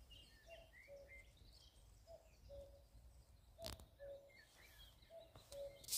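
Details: Common cuckoo in spring, Shropshire, May 2024, giving four low, hollow two-note 'cu-coo' calls, the second note lower, about every one and a half seconds, over high chirping from other birds.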